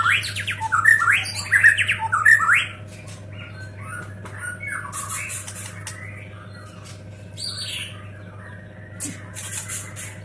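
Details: White-rumped shama from Medan, a fast singer, opens with a burst of loud, harsh, rasping notes for about three seconds, then softer, quicker chattering phrases over a steady low electrical hum.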